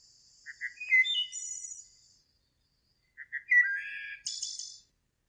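A Wood Thrush sings two phrases about three seconds apart, each starting with soft low notes, rising into a fluted middle and ending in a high, buzzy trill.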